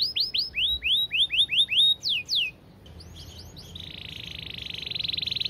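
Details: Canary singing a fast, clear song: a string of quick downslurred notes, a short pause with a few high sweeps, then a sustained buzzy trill.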